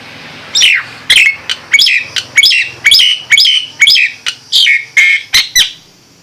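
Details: Nias hill myna in a fast run of loud, varied whistles and squawky slurred notes, some rising and some falling, delivered almost without pause for about five seconds.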